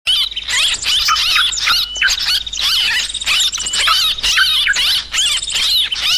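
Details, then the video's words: Yellow-vented bulbuls in a noisy lure recording used for trapping birds: a dense, overlapping chatter of high, bubbly, chirping notes with sweeping up-and-down whistles. Short gaps break the chatter. "Suara Trucukan Pikat Burung ribut"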